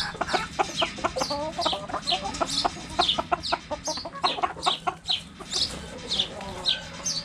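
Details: Low, quick clucks from backyard hens busy at a cabbage, irregular and overlapping, with sharp high chirps falling in pitch about twice a second.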